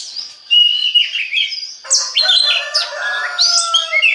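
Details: Song of an Oriental magpie-robin, known locally as kacer, used to trigger song in other birds: soft whistles at first, then loud chirps, buzzy notes and sliding whistles.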